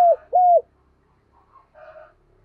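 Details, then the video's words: Spotted dove used as a decoy, cooing 'gáy sung' during training: a loud coo phrase ending in a steady drawn-out note, then quiet softer notes. "Chim Cu Mồi Gáy Sung"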